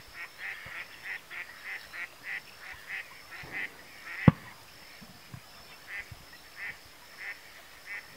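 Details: Adult male pin-tailed sandgrouse (Pterocles alchata), a vagrant at Tancat de Milia, l'Albufera, Spain, 1 June 2013, late spring: quick, nasal, goose-like notes, about three per second, in two bursts, with a sharp knock between.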